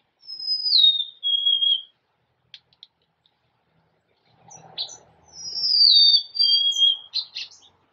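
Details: Golden-crowned sparrow singing: clear whistled notes sliding down in steps, a first phrase of three descending tones, a pause with faint clicks, then the plaintive falling series repeated more loudly with a few short chips.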